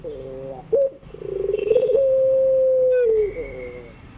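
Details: Ringneck dove producing its afternoon 'pelung' crying song as a model for young learning birds: a sharp short note, then a rolling trill swelling into one long even coo that falls at the end, with a faint high chirp behind.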